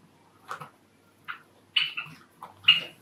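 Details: Courtship song of a captive Java sparrow from an indoor group of five: a few separate bright chirps, rising in strength, the last two louder and more tonal, about one note every half second.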